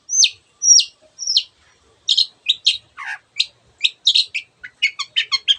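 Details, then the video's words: Long-tailed shrike in energetic song with many copied sounds: three sharp descending whistles, then a scatter of chirps, a low slur and a fast burst of quivering notes at the end. "cendet gacor masteran untuk burung yang susah bunyi banyak varian suara burung lainya"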